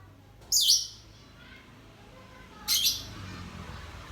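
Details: Lovebird being sunned in gloomy weather, ngekek panjang; two brief shrill scratchy bursts about two seconds apart, over a low background rumble.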